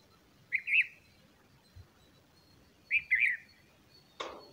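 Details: A bulbul feeding its chicks gives two short, bubbling warbled phrases about two and a half seconds apart, followed by a sharp click; otherwise quiet.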